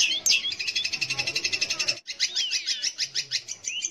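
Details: Long-tailed shrike (cendet or pentet) song used as a lure to provoke young or silent shrikes into singing: rapid, high, scratchy notes repeated about three per second, a brief break, then faster chatter mixed with slurred whistles.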